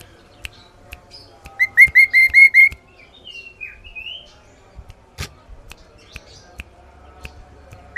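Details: Sooty-headed bulbul, loud and clear, gives a fast run of about seven ringing notes, then a brief falling whistled phrase. Scattered clicks and knocks sound in the background.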